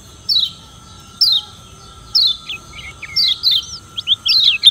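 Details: Challenging song of a Lombok yellow white-eye (kecial kuning), used to provoke rivals: high, thin downslurred chirps spaced about a second apart, then a quicker run of twisting whistled notes with lower slurred tones.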